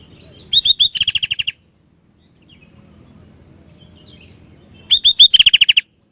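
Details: ['Sooty-headed bulbul (kutilang) in full, varied song: a pair of matching phrases, each with brisk high whistled notes and then a hurried string of about ten buzzy pulses, separated by roughly three seconds of low hum.']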